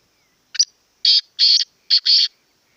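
A black francolin gives a loud, harsh, grating phrase: one short clipped note, then four rasping, scratchy notes, the last two run close together. No other sounds intrude.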